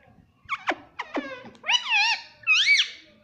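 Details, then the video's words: Talking parrot saying words like mummy and papa; short squawky syllables, then two longer wavering, rising-and-falling voiced sounds in a quiet room. "Mummy Papa Bolne Wala Parrot"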